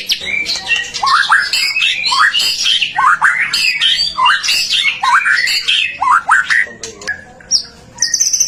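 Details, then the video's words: White-rumped shama singing hard, used to prompt other shamas to sing; sharp upswept squawky notes repeated roughly every half second over dense chatter, ending in high whistles. "Suara murai batu gacor AMPUH buat PANCINGAN murai batu agar BUNYI"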